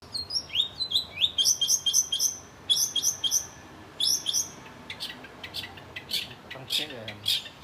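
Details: Long-tailed shrike (cendet) singing a lively masteran-style song: quick high chirps and short rising whistled notes in rapid repeated phrases, about four per second, then harsher scratchy notes and clicks in the final seconds.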